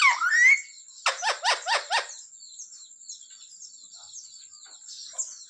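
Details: Pet parrot talking, saying mummy and asking for roti: a short hoarse rising sweep, then four quick harmonic syllables in a row lasting about a second, followed by near quiet with a steady high whine throughout.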